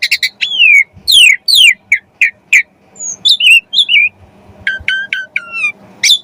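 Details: Asian pied starling in full song, used to prompt other starlings to sing: falling slurred whistles and sharp chips, then looping notes and a run of short descending ticks.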